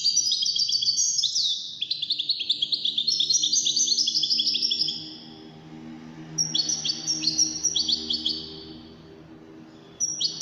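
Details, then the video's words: European goldfinch in a song competition pouring out lively twittering for several seconds, a pause, then further bright chirping phrases; a low steady hum runs underneath. "مسابقة افضل تغاريد 5 حساسين ويدانية"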